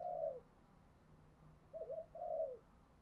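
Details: Spotted dove call used for daily lure-bird training and to urge fighting: three soft, low, slurred coo notes with a gap in the middle, over a quiet background hum.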